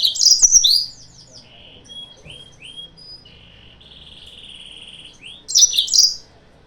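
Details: Lure song of a yellow-fronted canary meant to provoke rivals: a loud, bright burst, then softer sustained whistled tones and buzzy trills, then two more loud chirping bursts.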